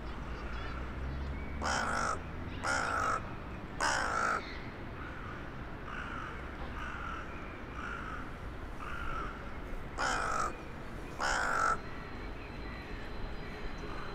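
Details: A town-centre crow calling in the evening of 23 January 2021 to other crows flying in for the night: five harsh, broad caws in two bunches of three and two, over steady urban background hum.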